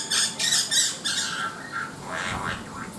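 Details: Black-winged myna giving loud harsh squawking notes in quick bursts, then lower rasping phrases, over a faint steady background tone.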